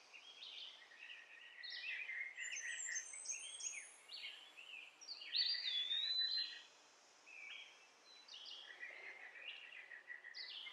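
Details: Young sunbird found in a backyard, being hand-fed orange and mealworms; rapid, thin high chirps and squeaky twitters run almost continuously, some sliding upward, with a brief quieter gap near the end.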